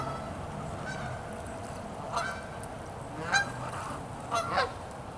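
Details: Canada geese on a cold, freezing pond edged with ice. Sparse, softer honks come at intervals, the clearest near the end, over a low background murmur.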